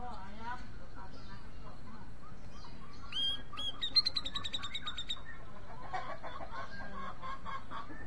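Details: Grey-cheeked bulbul looking for a singing companion; a short rising note opens a quick run of sharp, ringing pulses lasting about two seconds, then softer chattering notes over steady low background noise.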